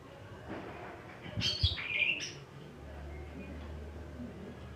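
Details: Greater green leafbird (cucak ijo) scolding because the weather suddenly turned cloudy: a short burst of bright, squeaky chirps and slurred whistled notes lasting about a second, followed by a steady low hum.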